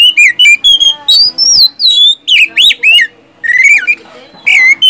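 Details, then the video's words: Oriental magpie-robin singing energetically, a song used to coax silent magpie-robins into song: a long chain of varied whistles, some warbling and swooping, with one brief pause before a rising sweep. "SIULAN dan TEMBAKAN kacer satu ini,DIJAMIN ampuh buat pancingan kacer macet malas bunyi jadi gacor"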